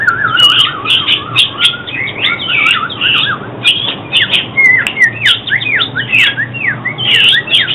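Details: Oriental magpie-robin song for trapping and song training: a continuous rich medley of warbled, looping whistles and quick slurred notes with sharp clicks, rising and falling phrases packed closely, faint steady hum beneath.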